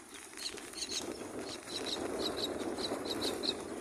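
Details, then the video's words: Four myna chicks in a nest beg while being fed by their mother, giving thin, high squeaky notes about three per second, unevenly spaced, over a steady background hiss. "The 4 baby myna babies are very good at feeding their mother"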